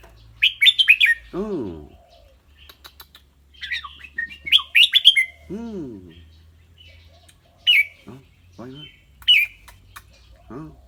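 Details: Caged red-whiskered bulbul singing and chattering in a clear voice, repeating bright, rapid whistled phrases of three to five notes about every three seconds, interspersed with low arching harmonic sounds and scattered sharp ticks.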